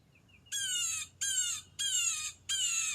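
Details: A blue jay in the morning woods of Northern Virginia, USA, gives four harsh, raspy squawks, each about half a second long, repeated at a steady pace over a quiet background.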